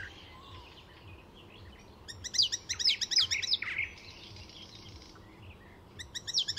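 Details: Icterine warbler singing at Fysingen reserve in Sweden, mixing mimicked calls into its repertoire: quiet warbling gives way to a loud rapid burst of chirps and squeaky notes, a soft pause, then another sharp burst.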